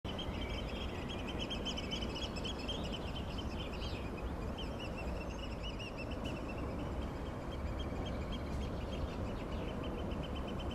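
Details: Three Eurasian oystercatchers squabble, pushing and cutting each other off, at Woolderbroek near Hengelo on the Twickel estate, in a fast, continuous run of shrill piping notes, partly buried under a strong low rumble of wind or surf.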